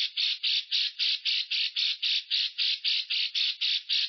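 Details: Lovebird giving a long-breath ngekek, used to coax stressed or silent lovebirds into singing: an unbroken harsh rattling trill of buzzy pulses, about three and a half per second, steady throughout.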